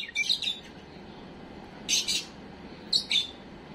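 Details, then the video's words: Caged tame bulbul heard in song recorded for teaching chicks: three short, buzzy, broad chirp bursts with thin whistled notes, separated by about a second of quiet. "تغريد بلبل اليف خالي من الاخطاء لتخريج الافراخ"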